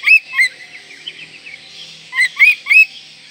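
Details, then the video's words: Oriental magpie-robin, singing to keep its breeding urge high and make rivals agitated: a few loud slurred whistles at the start and a rapid trio of bright upswept whistles near the end, with soft twitters between. "Kacer Gacor Full Isian Mewah Merangsang Birahi Agar Tetap Gacor Ngobra Dan Lawan Jadi Emosi"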